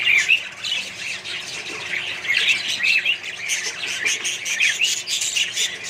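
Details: Budgerigars calling in a colony with other birds. Rapid chirps, scratchy squawks and brief whistled notes overlap constantly, with a loud burst at the start.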